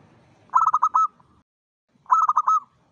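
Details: Local zebra doves singing to lure other zebra doves: two bouts of rapid, throaty cooing notes, each a quick stuttering series ending in a longer drawn-out coo, separated by about a second of quiet.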